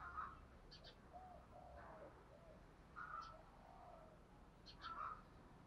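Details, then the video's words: A decoy Spotted Dove calling in the morning to provoke rival doves: soft, low, hollow coos in short phrases, repeated every second or two. Brief higher chirps from other small birds come in between. "chim cu mồi gáy gọi"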